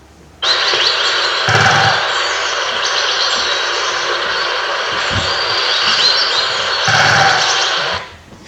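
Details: Great spotted woodpecker drumming, a mechanical sound of bill struck on resonant wood chosen beforehand, far-carrying territorial marking call, not hole-making: two short rapid rolls about five seconds apart over steady background birdsong hiss.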